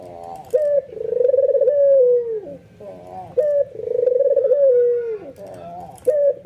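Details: White albino ringneck dove giving excited bowing coos that get other doves calling: two long purring coos, each begun by a sharp upward note and ending lower, with soft warbling coos from other birds in the gaps.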